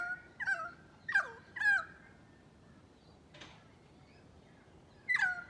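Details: Australian black bird, a currawong, calling with clear whistled notes that hold steady and then drop sharply. Three come in quick succession, then a faint click, then one more swooping note near the end.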